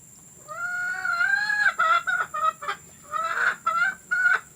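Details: Domestic hen call recorded to be played to hens about to lay; a long drawn-out rising squawk followed by a broken series of loud harmonic clucks and squawks, with a steady high hum throughout.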